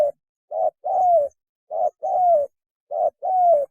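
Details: Mating call of a spotted dove used to lure birds: three matching phrases, each a short low coo followed by a longer coo that falls in pitch, repeated about every 1.2 seconds.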